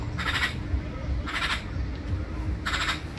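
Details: Black-billed magpie giving three harsh, raspy, broadband calls, each a short burst about a third of a second long, spaced roughly a second apart, over a steady low rumble of background noise.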